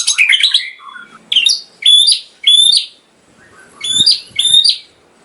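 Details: Caged white-rumped shama song used as training material for caged birds: bursts of high, bright whistled and chattering notes, with sharp rising slurs in short phrases separated by brief pauses.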